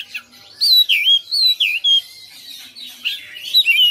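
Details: Caged white-rumped shama raised at home for fighting, giving a series of loud looping whistled notes that rise and fall in a wavy pattern, about six phrases in quick succession.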